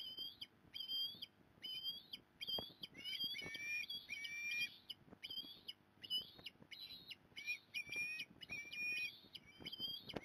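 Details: Osprey at a nest in Port Lincoln, Australia, 15 November 2020, with the mother coming to help; rapid continuous series of high, sharp whistled chirps, repeated several times a second, slurred and overlapping at times.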